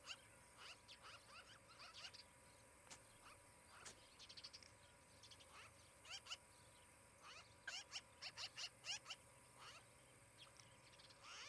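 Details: Osprey pair at their new nest near Charlo, Montana, recorded by nest camera on 23 July 2018 in late morning; scattered sharp, slurred chirps come in loose clusters over steady background hiss.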